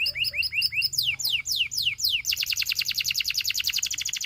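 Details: Canary song opening with paired chirping notes and a few steep falling whistles, then breaking into a rapid, even, high-pitched trill of tightly repeated notes to the end.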